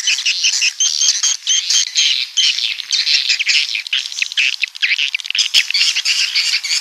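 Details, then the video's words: Swiftlets of the coast from the south, with many birds giving piercing, buzzy cheeps in a thick chorus that swells and eases in short waves, plus one sharp click near the end. "Suara Walet Pantai Dari Selatan"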